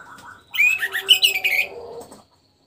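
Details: After moulting, a caged orange-headed thrush gives a short rich phrase of rapid varied whistles and twitters lasting under two seconds, then silence.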